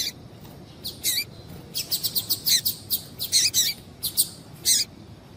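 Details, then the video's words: Female double-collared seedeater calling, a call used to stimulate males to sing; sharp, high chirps come singly and in quick clusters of three to four, with short pauses between groups, over a quiet background. "Piado de Fêmea de Coleiro para Esquentar Coleiro"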